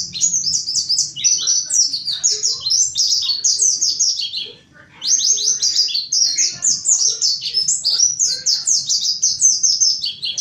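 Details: Mountain white-eye, wild-style (ngalas) singer used as a lure: two long, fast, unbroken runs of high, thin, descending chirps and twitters, split by a brief silence midway, loud and busy throughout.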